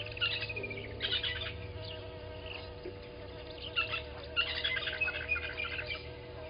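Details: Southern masked weavers newly arrived at Gowrie dam waterhole, Djuma Game Reserve, Sabi Sand Wildtuin, South Africa, 07:30 on 12/06/20: bursts of dry, buzzy chattering near one and four to five seconds over a steady low electrical hum.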